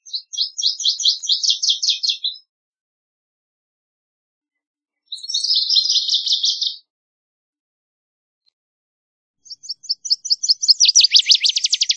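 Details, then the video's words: Northern waterthrush singing three loud, high, ringing songs about five seconds apart. Each is a run of rapid, sharp repeated notes that speeds up into a louder, slightly lower, emphatic ending. No other sounds. "Northern Waterthrush Song! Call! Sound! Chirp! - Reinita Charquera Canto"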